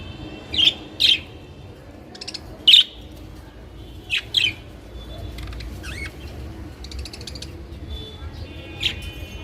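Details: Pet budgerigars giving scattered short, high chirps, several close together early, then sparser calls and softer chatter, over a low background hum.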